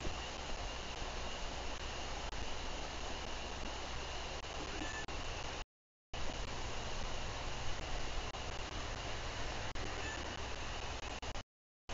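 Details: Steady broadband roar like rushing water or wind near a bald eagle nest in Bluff City, Tennessee, with a faint constant tone and two brief dropouts; no clear animal calls.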